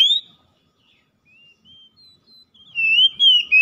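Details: Oriental magpie-robin song, played to stimulate a stressed bird that has stopped singing: a loud pure whistled phrase, a quiet gap with faint short notes, then loud rich whistles with slurred rising and falling notes.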